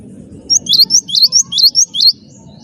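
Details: Cinereous tit of the wingko type singing energetically to prompt other birds: a fast string of about eight high, sliding twittered notes in under two seconds, with low background hum.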